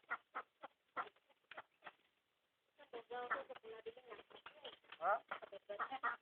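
A myna gives a run of harsh, clucking notes, then a busier stretch of chattering, gurgling and whistled notes that rise and fall in quick succession.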